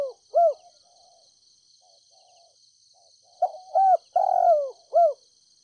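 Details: Decoy spotted dove from Ninh Thuận, Vietnam, cooing gently to lure wild doves: one soft hooked coo, a pause, then a phrase of short coos and a long drawn-out falling coo, over a steady high-pitched whine.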